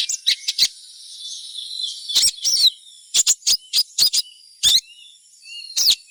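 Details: Crimson sunbird twittering meant to prompt other sunbirds to start singing; quick high chips and short buzzy phrases in irregular clusters, with thin faint whistles between them.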